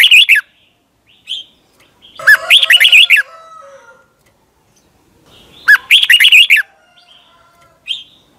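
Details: Repeated lively warbling phrases from a caged Red-whiskered Bulbul, Thailand, form a doubled song meant for birds to copy. Short single chirps fall between the main phrases.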